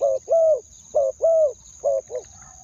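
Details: Spotted dove decoy calling to attract wild doves: low, rough coos, short note then a longer bowed note, twice, ending in two clipped notes and a faint trailing tone.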